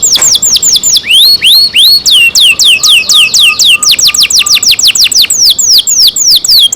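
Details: Loud canary song from a bird cared for by its keeper: rapid repeated downward-sweeping whistles, some rising slurs, notes coming about three per second, with a faint low steady tone beneath.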